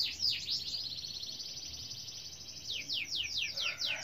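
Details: Canary song in the gacor style, quieter and partly masked by background hiss: a soft high trill followed by a few clear, separate downward-swept whistles near the end.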